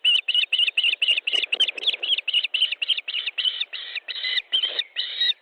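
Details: Osprey calling at a nest in Estonia during a fish delivery, late May evening: a steady run of sharp whistled notes, about four per second, slightly hoarse and ringing, without pause.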